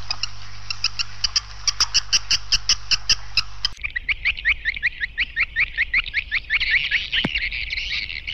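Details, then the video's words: Lure sound of edible-nest swiftlets, PJW old style, for swiftlet nesting houses: crisp high chirps repeated quickly and regularly over a steady low hum, then a softer, lower twittering sequence that grows denser toward the end. "SP WALET PJW OLD ORIGINAL TERBARU 2024"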